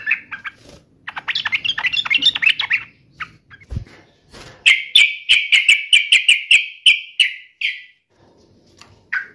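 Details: Agitated sooty-headed bulbul ready to fight, with scattered chips and a jumbled chatter, a few knocks, then a steady run of sharp repeated notes about three per second.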